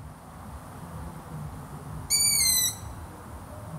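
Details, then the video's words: Long-eared owl gives one high, squeaky, slightly nasal call lasting about half a second, over a steady low rumble. "LONG EARED OWL"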